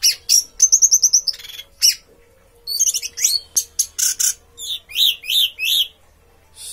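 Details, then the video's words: Orange-headed thrush, a kept songbird, singing a fast, varied run of high chirps: quick repeated notes, then bursts of sharp, buzzy phrases with short pauses between them. "Anis merah tak sesuai harapan, bodi bagus tapi teler ngaceng"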